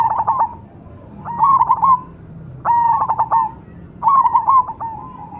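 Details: Zebra dove of the cemani variety repeating a short rolling coo phrase roughly every one and a half seconds. Each phrase is a quick cluster of stuttered notes ending in a drawn-out tail, with quiet gaps between.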